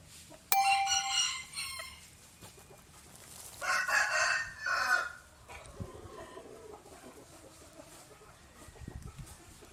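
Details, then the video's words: A tiny rooster crows twice, the first crow sharp and high and the second louder and lower, amid background clatter and faint noises. "Rooster Crowing | Tiny Rooster in The World"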